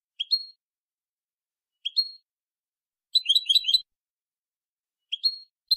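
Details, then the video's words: Goldfinch in copia malaga style, from an edited tutoring recording for young birds: short sharp rising chirps spaced about 1.5 seconds apart, with one faster jangling twitter run in the middle, in total silence between. "تغريد حسون كوبيا مالقا لتلقين الفراخ ©chant copia malaga chardonneret"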